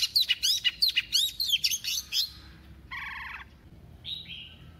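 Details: Decoy female Oriental magpie-robin singing a double-voiced song to excite males: about two seconds of fast, ringing whistled notes in quick succession, then a harsh buzzy note and a brief falling whistle.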